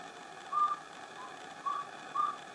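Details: Pale-billed antpitta in humid montane forest with chusquea bamboo at San Lorenzo, northern Peru: three short, clear, level whistled notes of similar pitch, spaced unevenly about one second apart over a steady background hiss.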